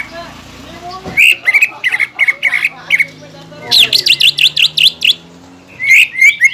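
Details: Greater green leafbird lure song to provoke ngentrok fighting in contest birds: repeated whistled notes in rapid clusters, a run of quick rising-falling buzzy notes, over a low steady hum.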